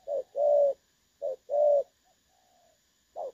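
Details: Spotted dove's 'đồng son' call from a 16 August 2024 trapping decoy recording. Two short-long coo pairs are followed by a pause holding a faint thin note, then another short coo begins.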